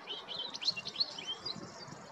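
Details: European goldfinch singing in spring in the Golan Heights, Israel: a faint, rapid jumble of high tinkling, twittering notes with quick liquid trills, over a soft background hum.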